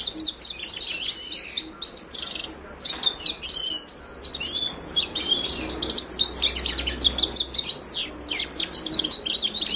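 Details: Himalayan goldfinch singing at length, Carduelis caniceps: high, rapid, jangling twitter of chirps, trills and quick slurred notes, broken by a couple of short pauses and steadily repeated.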